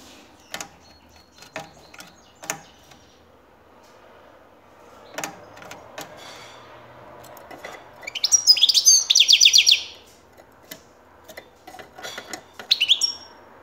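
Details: Native Turkish European goldfinch, recorded in 2019: two short bursts of bright, tinkling, rapid twitter, high and liquid, after scattered clicks and knocks in a quiet room.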